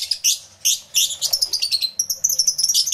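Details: Many lovebirds in an aviary, recorded with a camera and two external microphones: shrill, high chirps in fast rattling bursts, overlapping calls with brief pauses between volleys.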